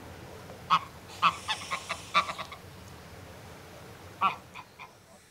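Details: Adult greylag goose giving a threat display: harsh, nasal honks in short bursts of cackling, with breathy hissing between them and a final honk after a pause.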